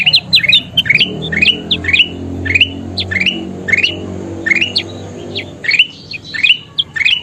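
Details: Lively kutilang emas bulbul song for training cage birds: bursts of fast rising chirps and high clipped notes over a noticeable low rumbling background.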